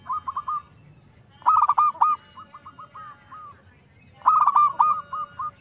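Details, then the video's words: Zebra dove singing to lure others: a soft opening coo run, then two loud rolling bursts of rapid coos, each followed by quieter arched notes tapering off. "PANCINGAN PERKUTUT GACORR DORR"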